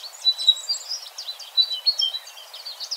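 An American goldfinch sings a fast, high, tumbling run of twitters and thin slurred notes with no pauses, over a faint hiss.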